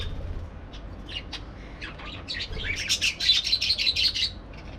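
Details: A few scattered parakeet chirps that build into a quick, dense run of bright twittering notes before stopping abruptly.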